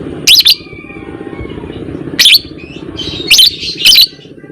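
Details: Fighter lovebird in a lure recording meant to draw long chattering; a run of loud, raspy double shrieks with short chirpy notes between, set against a low continuous hum.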